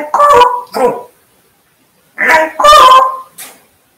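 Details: Indoor talking African grey parrot: two short speech-like bursts, a gap of about a second, then another pair of nasal, harmonic syllables with a clear whistled glide.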